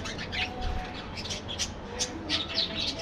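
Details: A group of budgerigars in an aviary colony makes rapid, irregular high chirps and short squeaks, many voices overlapping, with a low hum beneath.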